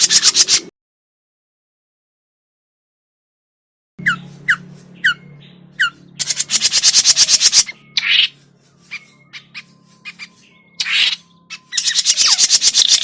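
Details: For bird trapping, grey-cheeked bulbul sounds: harsh buzzing chatter, an abrupt silence, then downslurred sharp chips, thin level whistles and renewed runs of rapid rasping notes.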